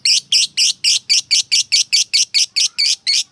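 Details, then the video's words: Lovebird fighter calling a rival, heard as a series of loud, rasping notes spaced evenly at about four per second, each short and harsh. "Suara Burung Lovebird Memanggil Lawan Memancing EMOSI, AWAS NYAUT !!"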